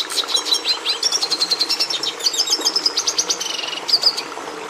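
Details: Red siskin, prized by breeders for putting red pigment into the domestic canary, singing rapid high twitters that run into long buzzy trills, ending with a couple of bright chirps.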